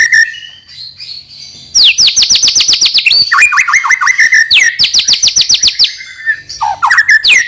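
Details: White-rumped shama singing to lure young birds into song: after a soft start, fast descending trill phrases alternate with lower upslurred whistles.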